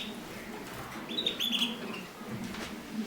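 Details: Mosaic canaries during mating, giving a short run of thin, high, slightly wavering chirps in the middle of the clip over a steady low indoor hum.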